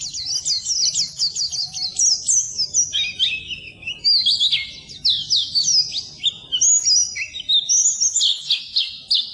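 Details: High, lively twitter of an Oriental white-eye from a tutoring recording for birds that won't sing; opens with a rapid run of repeated sharp chips, then varied quick whistled phrases and slurs with brief pauses.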